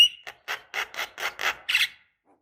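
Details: Javan myna female calling a male, a lure sound; one short clear whistle followed by six rasping, buzzy notes repeated roughly every quarter second.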